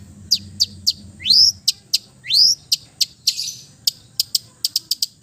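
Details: Long-tailed shrike of East Java singing a relaxed song rich in fills, aimed at silent birds: sharp dry ticks spaced irregularly, two rising slurred whistles, then a quickening run of clicks.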